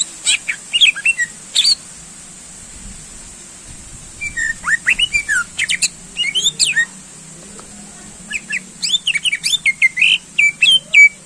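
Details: Greater green leafbird song used to rouse contest birds: loose bursts of sharp chips, rising and falling whistles and raspy notes, separated by short pauses, growing into a fast rhythmic series at the end.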